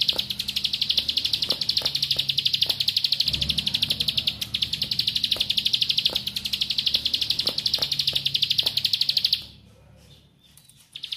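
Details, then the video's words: Bar-winged prinia song used as a lure to make other birds respond: a rapid, high, buzzy trill of sharp notes, about three per second, sustained for nine seconds, with a low hum beneath. "Ciblek Sawah Materi Nembak Rapet // Ciblek Lain Pasti Langsung Respon Nembak"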